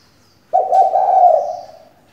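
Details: Lone sustained coo of a female spotted dove kept to lure males into singing: low, mellow and faintly wavering, lasting over a second before fading.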